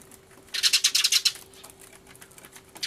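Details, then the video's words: Excited sparrows in a noisy commotion, filmed 24 March 2013 alongside a turtledove: one burst of fast, piercing high chirps lasting under a second, followed by softer scattered chips against faint background hum. "スズメの鳴き声（大騒ぎ！音量注意） Crying Sparrows (Beware of loud volume because they're crying so hard!)"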